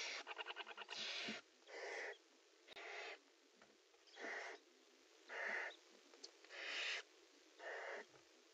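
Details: Barn owl (Tyto alba) pair in a nest box during pairing/mating: a quick burst of rapid ticking, then harsh, breathy hissing screeches about half a second long, repeated roughly every second.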